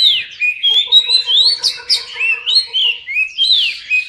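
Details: Oriental magpie-robin song used to make silent magpie-robins sing: sweet slurred whistles rising and falling in a steady rhythm, with two sharp high notes midway and a faint repeated tonal pulsing beneath.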